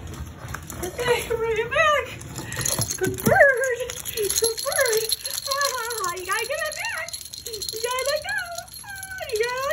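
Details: A pet Moluccan cockatoo sings indoors, giving wavering, rising-and-falling phrases in short bursts about every second and a half, after an opening clatter like a shaken toy.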